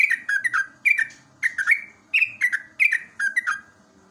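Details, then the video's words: Ropelan song of a yellow-vented bulbul (trucuk), played in the morning as a master for caged birds: paired liquid whistled notes that fall in pitch, coming in fast bursts with short gaps between groups. "JOGJOG/TRUCUK ROPELAN SAKTI"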